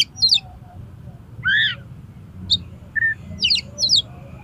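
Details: Oriental magpie-robin (kacer) singing, used as a lure to prompt contest birds to sing: scattered clear whistled notes and short trilled clusters, including a lower swooping whistle and paired high buzzy phrases near the end, over a faint low hum.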